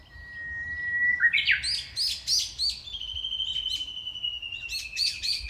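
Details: Small bird in Nishi-no-kubo Park, Hondo-machi, Amakusa, Kumamoto, Japan, on a hot early-summer day among shaded trees: a long held whistle and a bright flourish, followed by rapid repeated high chirps and a second drawn-out whistle with more chirps.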